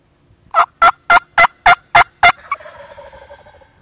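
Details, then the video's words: Two wild turkey toms, longbeards, gobbling at a hunting decoy in spring: seven loud, evenly spaced gobbling bursts about a third of a second apart, followed by a softer trailing rattle fading into quiet. "2 Longbeards Gobbling In The Decoy!!"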